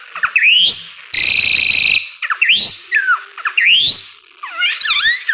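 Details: Lively crested myna song meant as a model for other birds: upward-sweeping whistles, a long harsh grating burst, then more rising slurs and a tumbling wavy phrase.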